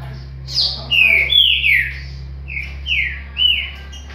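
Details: A Paraguayan green-winged saltator sings loud, clear whistled phrases, several slurring downward, about seven notes in four seconds, over a steady low electrical hum.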